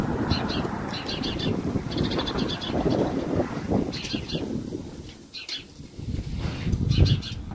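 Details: House sparrow chick found beside a house and placed in an old nest in a palm tree to meet its mother again: short high chirps come in rapid clustered bursts over strong low rumbling and handling noise.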